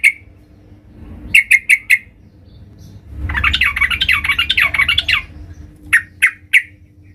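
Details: Female sooty-headed bulbul calling the male, giving quick triple chips, then a long harsh, buzzy chattering outburst of about two seconds, and a final series of three spaced chips.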